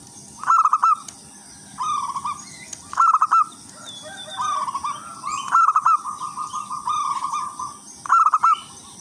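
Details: Persistent song of a local wild-type zebra dove, used to draw in other zebra doves: bright trilled coo phrases every two to three seconds, linked by softer rolling purrs, over a continuous high hiss.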